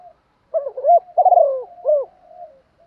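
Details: Spotted dove used as a caller to provoke other doves: a single deep, soft cooing phrase, two hollow notes, then a longer wavering falling coo and one short closing note.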